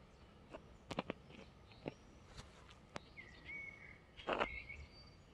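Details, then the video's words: Birdsong in the Stadtpark of Riesa: a clear whistled phrase near the end, ringing out over scattered footsteps and knocks in the park, with a brief burst of chirping. "Le parc Stadt à Riesa et ses chants d'oiseaux"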